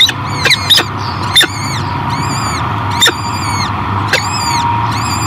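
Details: At a peregrine falcon nest at Great Spirit Bluff, 2023, the mother feeds newly hatched chicks. Several short loud chips open, then wavering high thin peeps come in repeated bursts over a constant background hum.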